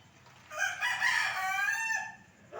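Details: A single full crow from a rooster wandering a village street: a rasping onset swells into a long, steady, harmonically rich note that fades after about a second and a half. Surroundings are otherwise quiet.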